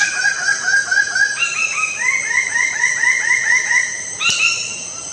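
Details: Lesser bird-of-paradise delivering a long series of loud arched notes, each briefly rising and falling, first slower and lower, then quicker and higher, ending with a sharp click and a final note.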